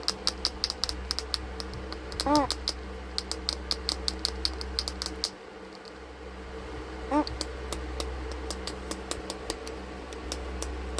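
An eclectus parrot makes rapid, dry, tapping clicks in quick runs. Two brief voiced squawks or words break in, over a low indoor hum.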